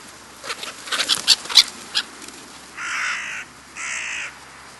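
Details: Black-headed gulls filmed in July 2009 in the New Forest, Hampshire, England: a burst of short clipped squawks, then two drawn-out, rasping, noisy calls about a second apart.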